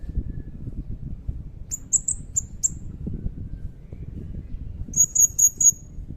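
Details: Blue-crowned hanging parrot in loud song with long cililin-style fill-ins. Thin, piercing high notes come in two bursts: an irregular group of four, then a quicker even run of four near the end. Low rumbling noise lies underneath.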